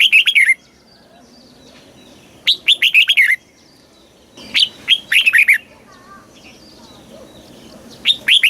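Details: Caged red-whiskered bulbul from Thailand singing in the southern master-song style, used to excite other birds and teach young birds: three bright warbled phrases of quick rising-falling notes, each under a second, spaced about two seconds apart.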